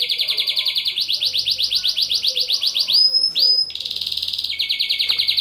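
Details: Male canary singing to stimulate females for mating, used for song training: rapid repeated chirping syllables about three per second, then a brief clear whistled phrase, then a dense buzzy trill.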